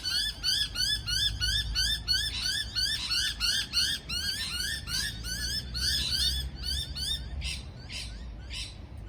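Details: Parrot uttering fast, squeaky, rising chirps, about three per second for several seconds, then a few sparser, fainter notes at the close.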